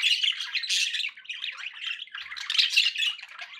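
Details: Budgies chatter in rapid, rasping warbles and sharp chirps, loudest at the start and again toward the end, several pet birds calling at once.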